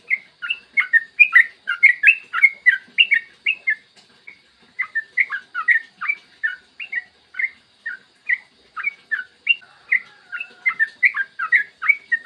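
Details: Rapid, unbroken 'ropel' singing from a yellow-vented bulbul, a clear-voiced morning recording meant to lure and trigger other bulbuls into song; quick chattering, liquid warbled phrases run together with only short gaps.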